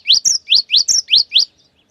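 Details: Cinereous tit singing a long, rapid 'wucit wucit' phrase, used to draw other birds of its kind into song: seven loud rising whistled notes in quick succession, some alternating with higher slurs, ending in faint trailing chips.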